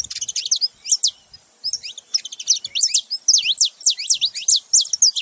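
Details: Male and female saffron finch together: continuous lively high chirping, bursts of sharp downslurred chips roughly four per second, almost without pause.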